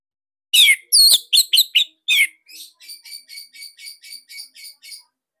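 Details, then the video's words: Orange-headed thrush of the Bali type, singing as master material for cage birds: loud, sharp chirped notes, then a softer, even series of about ten ticking notes repeated steadily. "Tembakan SIRTU GACOR Dan Isian Lain Cocok Buat MASTERAN Kicauan"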